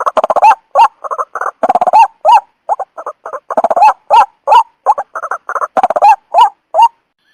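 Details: Trapping lure of white-breasted waterhen: a busy, uneven stream of clucks and rising nasal honks, often in quick runs of three or four, continuing for several seconds before ending on a single upslurred note.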